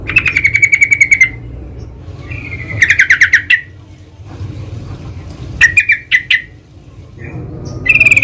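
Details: In the wild, a sooty-headed bulbul repeats loud bursts of rapid chattering notes, each burst lasting about a second, separated by short pauses, over a faint low background hum.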